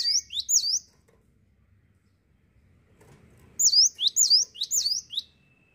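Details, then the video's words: ['Cinereous tit singing: two quick sweeping high whistled notes, a pause of about three seconds, then four more repeated doubled phrases, sharp and rising-falling.'] "GELATIK WATU GACOR NGETROLL"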